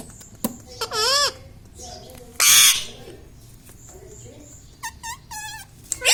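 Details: Pet parrot trained to say "mummy", "papa" and "radhe radhe"; separate bursts of shrill, wavering, speech-like calls, one very harsh, spaced by quiet gaps with faint clicks and room sound.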